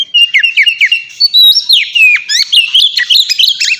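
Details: Oriental magpie-robin singing ngeplong-style song, used as a lure to get young captive birds singing fast: rapid, varied sweet whistles, slurred upward and downward notes and short trills packed densely together, no pauses, clear and loud.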